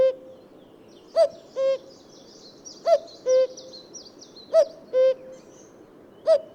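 A common cuckoo gives its two-note cu-koo, a higher note then a lower one, about every 1.7 seconds. Faint high chirps from other birds sound behind it.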